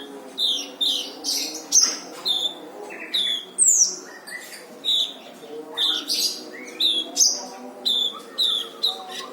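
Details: Dense master-recording song of a brown-throated sunbird, used to teach other birds: rapid high chirps and sharp downslurred whistles, repeated roughly twice a second, with a faint steady tonal drone beneath.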